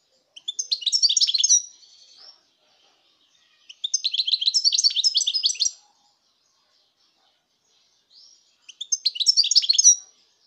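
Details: Song of a European goldfinch, 2019: three separate bursts of fast, bright, jangling twitters, each lasting about one to two seconds, spaced a few seconds apart with silence between.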